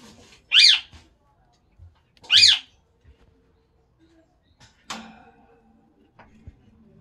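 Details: A pet lineolated parakeet, the family's youngest, eating a nutrition bar indoors gives two sharp, high, squeaky chirps about two seconds apart, followed by soft clicks and rustling.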